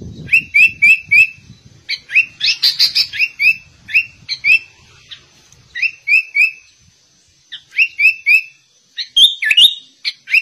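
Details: Sooty-headed bulbul copying white-rumped shama song, phrases of crisp repeated whistled notes broken by short pauses and a harsh chattering burst, with a low rumble at the start.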